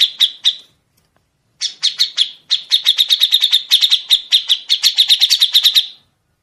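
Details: Grey-cheeked bulbul training song with long 'besetan': brief chirps, a pause, then a steady run of rapid high repeated notes lasting over three seconds before stopping cleanly.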